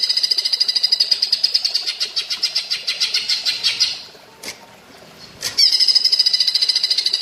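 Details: Green leafbird (cucak ijo) singing platuk bawang style for training songbirds: a sustained, shrill, rapidly pulsed rattle that slows and fades, a silent gap with two sharp clicks, then a new fast trill.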